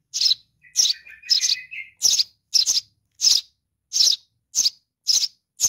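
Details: Baby sparrow calling for mom with quick, scratchy high chirps, while a soft, thin whistled trill overlaps the first notes.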